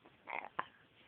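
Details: A pet male macaw, covered up as if sick and possibly faking a "deathly" cough, gives a single short, harsh, raspy cough, then a sharp click a moment later, in a quiet room.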